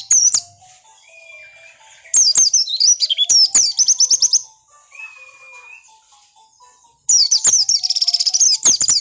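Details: Oriental white-eye song used to provoke other birds into replying: bursts of high, rapid twittering and sweeping notes, with quieter gaps holding a few steady whistled tones and faint low hum.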